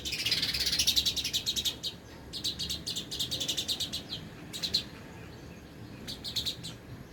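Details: Sparrows feeding at a homemade plastic bird feeder in an apartment space; fast runs of sharp, high chirps repeated several times a second, fading and returning, with steady low background noise.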